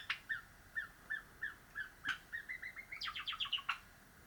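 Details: A pet cream Java sparrow rehearses its song, starting with evenly spaced soft piping notes that speed up, then ending in a quick series of bright, descending buzzy chips.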